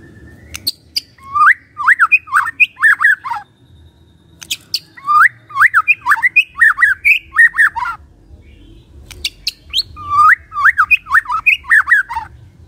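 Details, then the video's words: White-rumped shama singing a morning lure song meant to provoke silent shamas to sing: three bursts of loud, rapid whistled phrases. The phrases swoop between low and mid pitch and are punctuated by sharp high clicks, separated by short pauses. "Pancingan PAGI-PAGI AGAR MURAI GACOR❗ murai diam pasti ikut NYAUT EMOSI❗❗"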